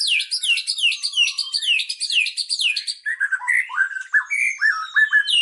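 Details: Magpie-robin song: a rapid series of high descending whistled notes repeated about three per second, switching to lower varied warbled phrases.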